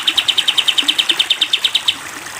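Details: Sooty-headed bulbul, 'tembak panjang' training recording: a steady volley of about fifteen sharp, high, repeated notes delivered quickly and evenly, with soft continuous hiss underneath.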